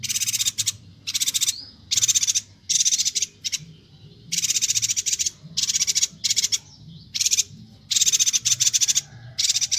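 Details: Bornean yuhina singing vigorously, a recording meant for training songbirds: continuous series of loud, harsh, rapidly pulsed chattering bursts, some long and some short, with faint rising whistles in the gaps.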